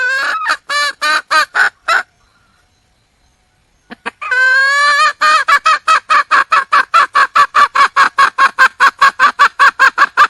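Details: Junglefowl hen in the wild, calling to attract a male. A burst of loud, harsh, rhythmic notes is followed by about two seconds of silence, then a longer fast series of raspy repeated notes, about two or three each second.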